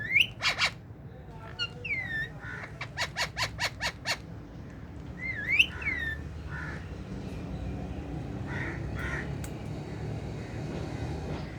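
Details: Pet ring-necked parakeets calling: rising harsh squawks, then a fast run of about six repeated squawks, fading into steady background hum.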